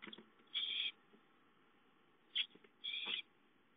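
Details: Owlet begging for food at home, recorded 5-9-13: three rasping hissed screeches, the middle one very short, separated by quiet pauses over soft background hiss.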